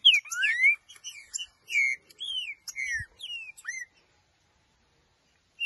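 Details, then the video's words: Green-winged saltator held in the hand, singing loud, clear whistled phrases that slur up and down, several notes packed into about four seconds, followed by a pause and one final whistle. "trinca-ferro cantando"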